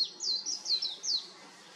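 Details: High, sweet warbling from a white-eye on an electric wire: four or five fast downslurred whistles in quick succession, then quiet.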